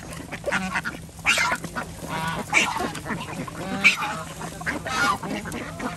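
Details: Domestic ducks on a village farm in Andhra Pradesh, India, quacking in harsh, nasal bursts roughly every second around feeding time, several birds overlapping, with a steady low hum beneath.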